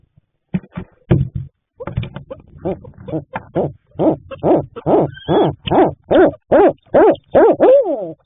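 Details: At a barred owl nest box one night in March 2026, the male delivers food to the incubating female on three eggs; hoots start sparse, then build into a fast, steady run of loud cackling notes ending in a drawn-out wavering wail.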